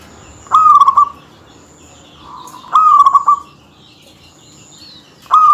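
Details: Zebra dove, a local bird, singing often and densely to rile rivals. Three short, bright, pulsing coos with a falling tail, roughly two seconds apart, over a quiet background with a faint high tone.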